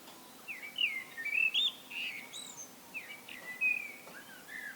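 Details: Blackbird solo song with full, flute-like whistled phrases rising and falling, loud bursts separated by brief gaps, plus a few higher squeaky notes, heard over soft steady noise.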